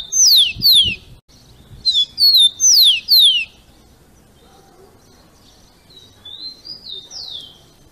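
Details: Caged rufous-collared sparrow delivering the 'Jesus Meu Deus' song type, played to train and warm up captive birds: bright piercing whistles, each sweeping steeply down, repeated in two bursts, then a fainter trailing phrase of gliding whistles.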